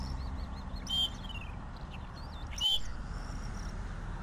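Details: Southern grey shrike song of two harsh, buzzy notes, while other birds add wavering whistled phrases and a descending trill around them.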